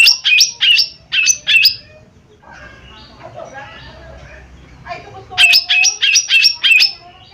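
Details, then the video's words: Lesser green leafbird (cucak ijo mini) giving harsh, scratchy calls used as a lure to make other birds respond. Loud rasping notes come in quick runs of three, then a soft murmuring pause, then a longer run of about six notes. "Cucak Ijo Mini Gacor 💯 Pancingan Paling Cepat Bunyi/Respon"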